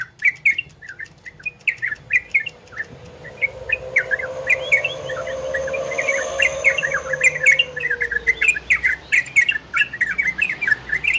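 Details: Ropel and garudo style song of an orange-spotted bulbul, played to stimulate breeding condition in listeners: steady stream of short bubbly chirps over a soft rushing hum that swells and fades mid-clip.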